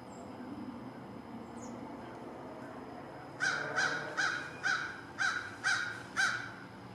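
An American crow gives a run of seven harsh, nasal caws, about two per second, over a soft background hum.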